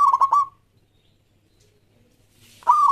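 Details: Local Zebra Dove song, used to encourage other doves to sing: the tail of one stuttered coo phrase, about two seconds of near silence, then the start of the next rolling, pulsed phrase.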